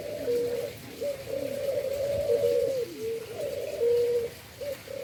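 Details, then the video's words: Endemic dove bred in captivity in Indonesia, cooing in low sustained notes with short rising and falling inflections, several phrases running close together. "Indonesian endemic bird breeding // endemic dove"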